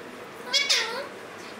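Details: Caged Alexandrine parakeet, one of a male and female pair kept indoors, giving a short harsh nasal screech in two quick overlapping bursts, then quiet.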